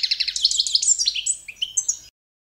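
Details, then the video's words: Competition-standard song of the Balkan European goldfinch, Carduelis carduelis balcanica, used for training birds: a rapid run of bright, liquid twittering notes with quick trills and high tinkling phrases, lasting about two seconds, then silence. "goldfinch song - World Championship"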